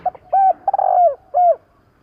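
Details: Close spotted dove phrase of four parts, a short note, a full steady coo, a long rolling coo sliding downward, and a final bowed coo, delivered quickly in about one and a half seconds.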